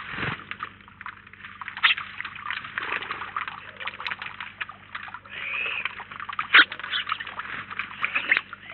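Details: Many house sparrows together at a Collado Villalba feeder keep up a steady mix of short chirps, with one sharp, loud call near the middle of the stretch.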